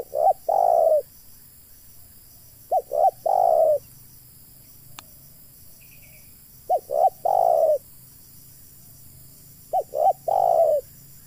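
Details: Spotted dove calling as a decoy for trapping wild doves: four phrases across eleven seconds, each two brief clipped coos and then a longer, fuller coo, with long pauses between and a single faint click.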